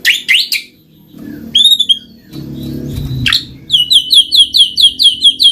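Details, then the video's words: Lure recording of a white-rumped shama (murai batu) meant to set lazy birds singing: a few quick high notes, background rumble, then a steady series of sharp, high, repeated chirps about twice per second. "Pancinggan Murai Batu Jadi Gacor Ngeplong, Murai Malas Bunyi Langsung Respon Gacor"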